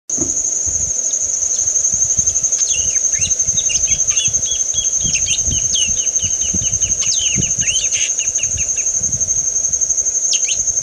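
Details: Male yellow-rumped marshbird (Pseudoleistes guirahuro) singing on a post: a run of quick, liquid, gurgling whistled notes for several seconds over a steady, high insect drone.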